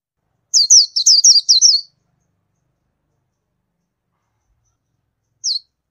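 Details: Indian white-eye producing a fast cluster of six high, thin chirps in under two seconds, then silence and one final lone chirp.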